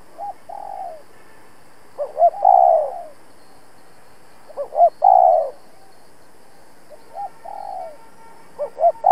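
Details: Spotted dove decoy giving intense challenge calls to draw rival doves into a trap; three cooing phrases, each opening with short rising notes and ending in a long falling coo, separated by pauses of about two seconds.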